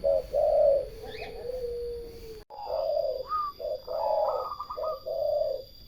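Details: Turtle doves cooing in a series of low, tonal notes, one long drawn-out coo sliding gently downward, followed by overlapping shorter coos and a brief rising higher note from another bird.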